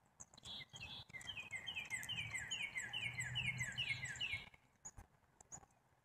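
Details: Repeated falling notes from a black-capped chickadee run in a steady chattering series for about four seconds, opening with a few higher notes, over a low rumbling background.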